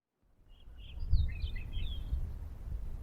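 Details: Western meadowlark (Sturnella neglecta) song recorded in Oregon in May 2019: one faint, flutey, gurgling phrase of tumbling notes over about two seconds, half buried under steady low wind rumble.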